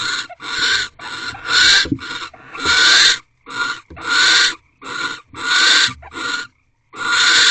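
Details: Barn owls mating in an owl box at a corral before dawn, 4:17 am on 4 March 2023, fifteenth night; around ten rasping, hissed bursts follow one another unevenly over seven seconds, some short, some drawn out.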